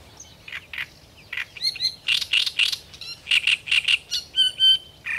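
Great reed warbler song: harsh, grating croaks and chattering notes, several per second, mixed with a few thin whistled notes, over a quiet background.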